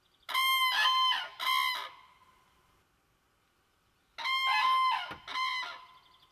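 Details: Common crane on its nest at a little pond, with eggs and young: two loud series of rattling, bugling trumpet notes, about three in each, separated by a quiet pause.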